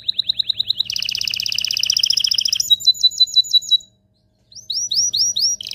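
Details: Excited canary singing for breeding preparation: a chain of quick chirps leads into a dense two-toned rapid trill, then spaced high whistled notes, a short pause, and more sweeping notes.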